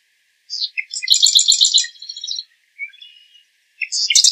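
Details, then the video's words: Marsh wren song with quick high introductory chips running into a fast, dense, gurgling rattle, followed by softer scattered notes and the start of another trill at the end. "Marsh Wren Song! Marsh Wren Call! Marsh Wren! - Cucarachero Pantanero Canto - Cistothorus Palustris"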